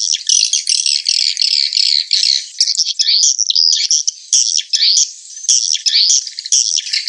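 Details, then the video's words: Continuous high, shrill, chattering twitter of edible-nest swiftlets, a lure call played to make birds roost, with buzzy trills and squeaky slurred notes running almost without pause. "SUARA BURUNG WALET PANGGIL INAP"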